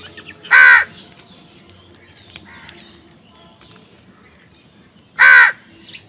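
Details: Crows squabbling over food give two loud, rasping caws about four and a half seconds apart, with faint scattered calls and a low hum between them.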